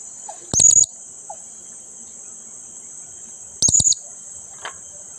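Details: Blue-crowned hanging parrot calling actively to rouse a quiet companion, giving two quick bursts of thin, shrill chips about three seconds apart, over a steady high insect-like hiss.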